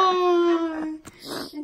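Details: Destiny, a 3-year-old male double yellow-headed amazon that talks clearly, speaks indoors during trick training in a voice much like a person's: a drawn-out, slightly falling word, a short breathy syllable, then a rougher word.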